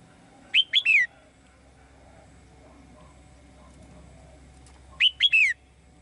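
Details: Female bird singing in a cage to attract the male: a pair of three-note phrases of high, slurred whistles separated by about four seconds of low steady hum.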